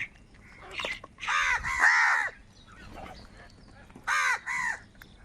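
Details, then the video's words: Loud, hoarse caws from crows fighting for food: a pair of drawn-out arched caws early on, a pause with faint murmurs, then two shorter caws in quick succession near the end. "কাকের ডাক Crow Sound Loudly | Different kauwa ki awaz | Kaka sound and noises of crow birds"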